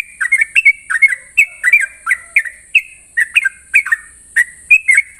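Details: Sooty-headed bulbul in the morning, singing 'ropel': quick pairs of sweet, slurred whistles, some ending in short level tones, repeated at a lively pace over a steady high hiss.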